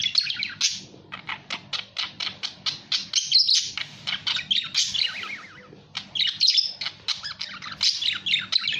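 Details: Budgerigar giving rapid strings of short clicking chirps mixed with scratchy warbles and squawks, one brief lull midway, faint low hum in the background.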